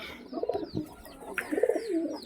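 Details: Loft pigeons cooing in low, wavering rolls, two bursts about a second apart, while small birds chirp with high, quick notes in the background.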